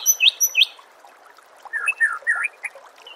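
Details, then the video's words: White-rumped shama song used to train birds for contests: sweet whistled phrases with quick upward sweeps, a short pause, then a run of rising and falling notes over a soft watery background. "Suara Masteran Murai Batu Gacor"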